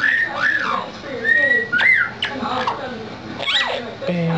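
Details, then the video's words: Pet lilac-crowned amazon, indoors with its owners during face time, gives clear whistled notes that rise and fall in short sweeps. People talk over and between the whistles in a small room. "the bird whistles & chortles"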